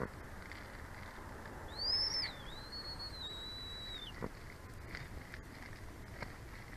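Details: American bald eagle at the Big Bear Valley nest, after the season's first egg was laid on 1/25/24; a single high, thin whistled call rising then held and wavering, over steady low background hiss.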